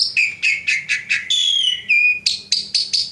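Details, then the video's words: Pet Javan pied starling in full song: clipped, chirping notes, then a long clear whistle that slides gently downward, followed by sharp, repeated metallic chips. "Jalak Suren GACOR"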